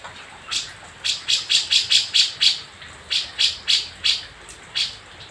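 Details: Javan grey-cheeked bulbul from Jember, East Java, five days after being caught from the wild and now kept: two bursts of short, harsh chattering notes at about four per second, separated by a brief pause.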